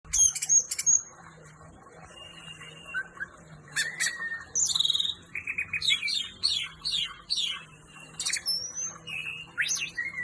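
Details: Orange-headed thrush (anis merah) singing energetically; rapid bursts of high chirps, buzzy trills and sliding whistles in dense sequences, over a steady low hum.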